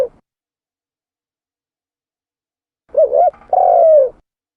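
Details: Turtle dove, called tekukur, a lure recording: after a short fragment and long silence, one mellow cooing phrase with two quick wavering notes, then a longer sustained coo that slides downward at the end. No background sounds.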